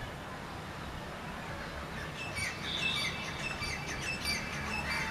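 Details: Grey francolin (Ortygornis pondicerianus), call.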